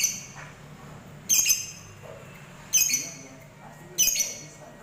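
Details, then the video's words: Lovebird calling: three harsh, high screeching bursts spaced about one and a half seconds apart, each short and grating, over a low steady background murmur. "Memancing Love Bird Fighter"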